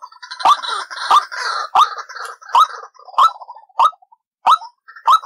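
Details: White-breasted waterhen lure call for trapping: a steady series of about eight loud, harsh croaks, roughly 90 a minute, linked by rough chattering that fades out toward the end.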